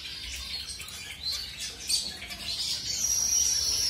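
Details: Zebra finches of mutation colours being paired, just placed with a new mate; dense, fast high chirping at over three calls a second, with a thin sustained whistle-like tone near the end.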